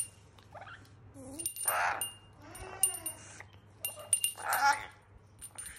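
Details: Pet rainbow lorikeet indoors, vocalizing with a talking-like babble of squeaky, harmonic phrases and sharp chirps in irregular bursts, with bright metallic, chime-like high notes between them and a steady low hum throughout.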